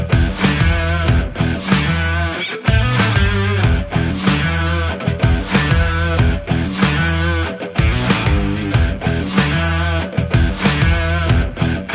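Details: Loud, heavy rock music with driving drums and distorted guitar throughout, with no animal sounds.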